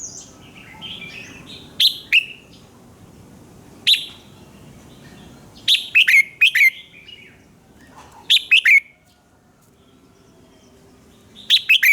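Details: Morning singing from a red-whiskered bulbul used as a training voice: short sharp notes, then fuller phrases of quick swooping whistles, irregularly spaced, with quieter background chirps.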